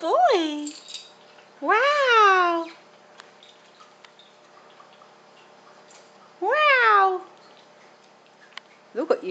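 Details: Male pet Pink and Grey Galah, aged one and a half, indoors; a short screech, a long harsh rising-falling squawk, a pause, another screech and a clipped final squawk.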